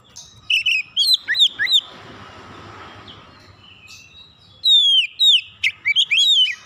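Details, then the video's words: Oriental magpie-robin: quick series of sharp, falling whistled notes, a hushed stretch with faint hiss and rumble, then another run of loud downward-sweeping whistles and chirps in quick succession. "kicauan terapi Kacer memanggil"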